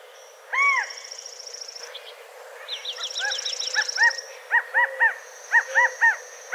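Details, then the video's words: California quail giving a long arched note, then quick runs of short, hoarse, arched notes, about two per second, over a thin high trill from another bird. "California Quail Callipepla californica Sound Bird Song Call"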